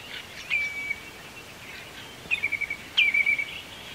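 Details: Common redshank on the Yazva River in Perm Krai, Russia: clear whistled notes, a single drawn-out descending whistle followed by two stuttering, quickly repeated whistle series, over a steady hiss of environmental noise.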